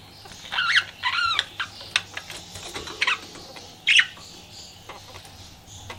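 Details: Flirting pet budgie keeps up a soft, warbling chatter of twittery notes and clicks, broken by one louder chirp near four seconds.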